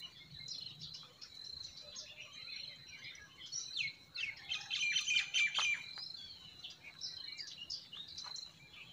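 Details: Forest birds singing in spring, with a burst of loud, rapid chirps and squawky notes midway among a steady high buzz and soft stream sound.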